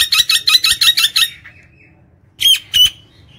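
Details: Nias hill myna in gacor song meant to lure birds at home: a fast rattling string of about seven loud, harsh, ringing notes, a trailing whine, then two separate sharp whistled calls.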